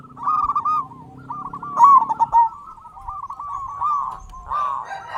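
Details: Indonesian local zebra dove in full voice, a lure meant to stimulate quiet doves into calling. Rapid trilling coo phrases held at a constant mid pitch, louder around two seconds, with a faint low hum under the first half.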